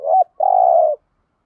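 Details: Spotted dove with a thổ-style voice, cooing to stimulate decoy doves to coo back: one phrase of a short wavering double note followed by a long, low, slightly rough sustained coo, then silence.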